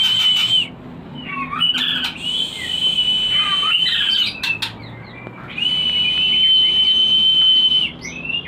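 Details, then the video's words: White-rumped shama lure song to raise breeding drive: long steady high whistles separated by short twittering, clicking passages, the final whistle held for about two seconds. "Pancingan untuk burung Murai Batu Breeding / menaikkan birahi"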